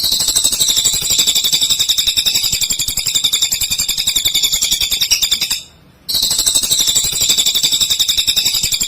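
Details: Cililin singing vigorously, a master recording for teaching white-rumped shamas: long unbroken series of high, piercing chirps repeated rapidly and evenly, with one short silent break midway.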